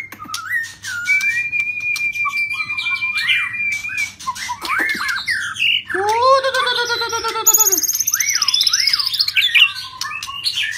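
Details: Shrimp-tail white-rumped shama singing rít thuốc lào style, mixing a sustained level whistle, looping slurred notes, a harsh buzzy rasping burst and a high thin trill, with a low steady hum underneath.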